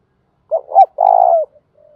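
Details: Calling spotted dove in the thúc bổi and gáy gọi song type. It gives two short coos, then one prolonged, steady, mellow note ending in a slight fall, and a faint soft coo after it.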